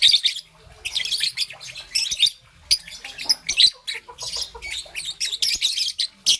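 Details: Young peach-faced lovebird, green and yellow, chirping in the morning: dense bursts of harsh, high chattering chirps and squawks in rapid clusters, with brief pauses between bursts, some light clicking and rustling underneath.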